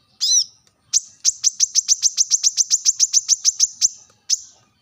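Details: Piercing call of a brown-throated sunbird meant to draw rivals: one slurred, warbled note, then an evenly spaced rapid string of high chips lasting about three seconds, and a final single chip.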